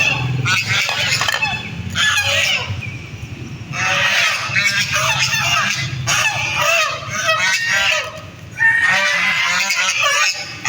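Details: Several ducks quacking together in dense, harsh nasal bursts that overlap in loud clusters separated by brief lulls, with a steady low rumble underneath.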